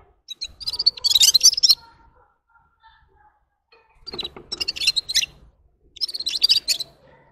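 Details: Red-fronted serin, locally called gulsir, gives three separate short bursts of high, jingling twitter. Each lasts about a second, with long silent pauses between them.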